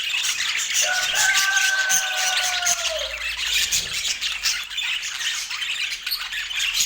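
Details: Pet rainbow budgerigars eating sweet apple, giving a dense, continuous scratchy chirping and warbling chatter, with a steady lower drawn-out tone with overtones sounding for about two seconds near the start.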